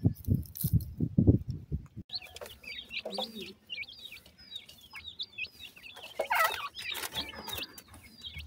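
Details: Black francolin chicks, several, feeding and playing. A few seconds of low thumping and handling noise give way to a steady stream of short, high, downward-curving peeps from the chicks, repeated rapidly and overlapping.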